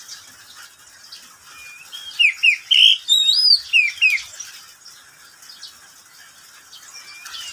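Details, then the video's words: Caged oriental magpie-robin at midday, giving a short burst of varied whistles and downslurred chirps in the middle, with soft hiss and quieter background before and after. "Suara burung Kacer di siang hari"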